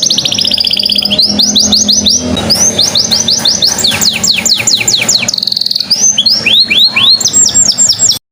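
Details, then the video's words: Canary song meant to prompt other birds, hens or males, to sing: long loud run of rapid sweeping whistled notes and rolling trills, with faint steady background hum and a brief buzzy tone near the middle. "PANCINGAN BURUNG KENARI auto mana tahan yang dengar bakal buka paruh!!!"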